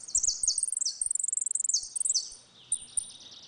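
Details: A Saffron finch sings a 'retinido' phrase during a dispute, the style used to train young birds: a quick series of piercing, ringing trilled notes stepping down slightly, ending in quieter repeated high buzzes.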